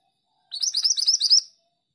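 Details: Actively singing female pied bushchat: a fast string of about nine high, clipped chirps, slightly rising in loudness toward the end, in a quiet setting.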